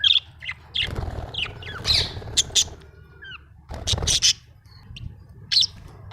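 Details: Budgerigar, said to be happy, giving scattered sharp chirps, squeaky whistles and short squawks with pauses between, plus some low rumbling noise in the background.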